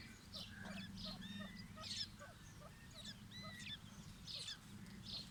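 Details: White partridge chicks fighting: high squeaky chirps and short rising and falling whistles in scattered bursts, over a steady low hum throughout.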